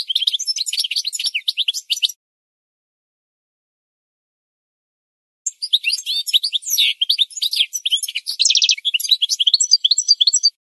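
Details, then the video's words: Goldfinch song: fast, tinkling twitters and liquid chirps, with a brief buzzy trill, in two long bursts separated by a few seconds of quiet. "The Best Singing Goldfinch"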